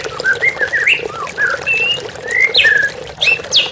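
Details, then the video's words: White-rumped shama, therapy recording with flowing water: rich slurred whistles, some rising and some falling, with a long sweeping phrase and sharp high notes near the close. "TERAPI MURAI BATU Stres Macet Langsung pulih _ Terapi Murai Dengan Suara Air Mengalir"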